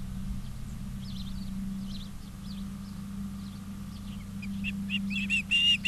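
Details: Ospreys at a nest in Charlo, Montana, on an August afternoon in 2023. Soft distant chirps lead into a quick run of sharp whistled notes at the end. A low hum sounds throughout.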